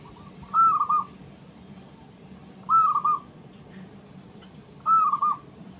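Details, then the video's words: A small zebra dove calling for a rival gives three soft, staccato cooing phrases about two seconds apart, each a rising note breaking into stuttered coos, over a low hum; used to provoke reluctant doves to answer. "suara burung perkutut kecil mencari lawan"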